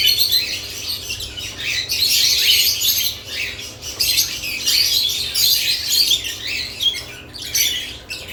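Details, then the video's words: Nest box activity among lovebirds brings constant high, piercing chatter with brief whistled squeaks, swelling loudest near the middle before easing toward the end. "Lovebirds add nest boxes activity & chirping sounds"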